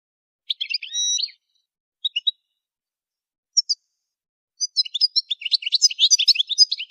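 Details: Goldfinch during song training: scattered short twitters and a thin whistled note, then a dense, rapid, high-pitched warbling song that builds over the last two seconds.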